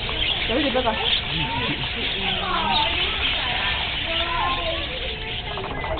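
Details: Flock of parakeets in a noisy zoo indoor aviary chatters with overlapping chirps, warbles and short rising whistles, several each second, under steady people talking nearby.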